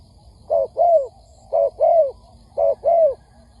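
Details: Spotted dove lure recording for trapping: three evenly spaced coo pairs, a brief first note and a drawn-out falling second note, about one pair per second.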